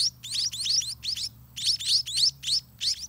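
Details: Scaly-breasted munia babies begging for food in their nest; short bursts of squeaky, high rising chirps in quick clusters, separated by brief silent gaps, about three bursts per second.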